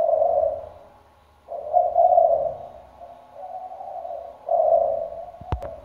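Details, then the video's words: Decoy spotted dove, kept to call day and night, with a deep so-called bronze-thunder voice: low, mellow hooting coos in separate phrases, a long coo, a pause, then drawn-out and shorter notes, ending with a sharp click. "cu gáy giọng sấm đồng, đủ bài bản (gáy, gù suốt ngày đêm)"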